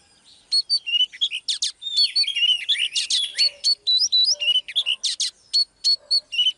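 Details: Oriental magpie-robin, male driven by a female into intense song. Fast, rhythmic stream of bright whistled notes and buzzy chips, with a recurring high whistle repeated several times per second and constant variation.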